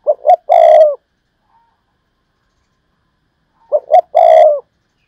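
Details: Spotted dove used as a decoy bird, giving a three-part coo: two short hoots then a long, drawn-out coo, repeated twice about four seconds apart in otherwise quiet surroundings.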